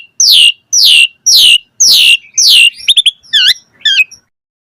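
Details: Asian pied starling, used as a tutor recording to get caged birds singing: five loud, rasping, downslurred notes about half a second apart, followed by quick wavering whistles.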